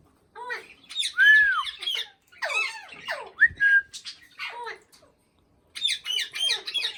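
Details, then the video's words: Speech-like chatter from an Indian ringneck parakeet: an arched whistle, slurred descending syllables, and a rising whistle held as a level tone. A silent gap comes before a final burst of raspy, buzzy notes. "Raw Parrot talking | parrot viral video | talking Parrot video | Parrot funny sound"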